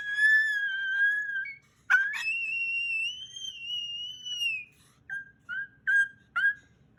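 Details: Pet male Moluccan cockatoo, very vocal indoors at bedtime in June 2020 during play with his owner; long pure whistles held level then sliding down, two sharp clicks between, ending in a string of short clipped whistle notes.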